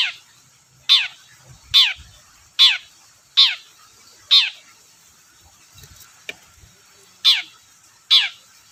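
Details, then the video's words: Long-tailed shrike, a lure recording for shrikes that seldom sing: a run of harsh, downward-slurred notes about once a second, a brief pause with faint clicks, then two more notes. "BURUNG CENDET GACOR DORR PANCINGAN AMPUH CENDET SUSAH BUNYI"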